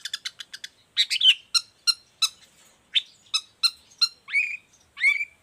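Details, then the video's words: Long-tailed shrike song used as a tutor and lure for other shrikes. Rapid clicks give way to loud sharp chirps at steady intervals, ending with two slurred whistled notes. "Cendet gacor cocok buat masteran juga pancingan cendet lainnya"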